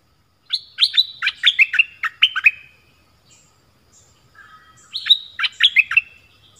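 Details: Song of an Orange-headed thrush of the southern style, used for luring wild birds and teaching young birds: a burst of quick, clipped chirping phrases over a held high note, a pause, then a second shorter burst.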